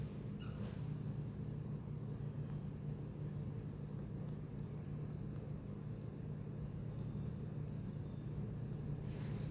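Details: Steady low rumble of road traffic with a constant hum and a few faint clicks; no animal calls can be picked out.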